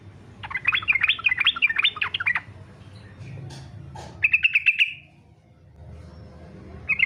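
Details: Fighter-style song of a yellow-vented bulbul, used to coax other bulbuls into singing; a quick bubbling warble gives way to a brief clear whistled phrase, then another short whistle at the close.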